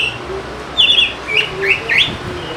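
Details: Oriental magpie-robin, lure to get lazy birds singing; a short burst of bright whistled notes, a quavering whistle followed by three quick upslurred notes.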